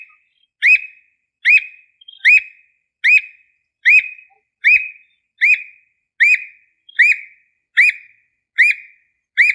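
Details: Squirrel cuckoo (Piaya cayana) singing in the Brazilian sertão: loud, sharp whistled notes, each rising then dropping, steadily repeated a little faster than once a second.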